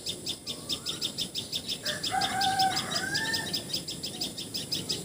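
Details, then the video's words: Common tailorbird, known in Assamese as patxhia sorai or tiposi sorai, calling in Assam, India: sharp high chirps repeated about three times a second, with a lower drawn-out call, perhaps a rooster crowing, overlapping mid-clip. "Call Of Common Tailor Bird!"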